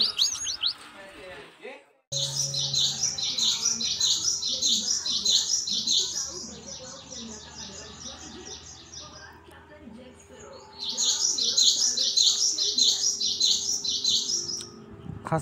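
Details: Gelatik batu, the cinereous tit, singing hard for a lure and tutor recording: long bursts of dense, high, rapid twittering, with a pause before the chatter resumes. People talk underneath throughout.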